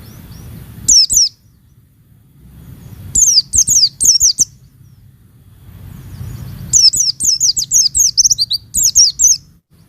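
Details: Female Oriental white-eye calling to provoke males, used to stir caged males into singing: bursts of very high, thin downslurred chirps in quick series, three short groups with gaps between, the last group longest.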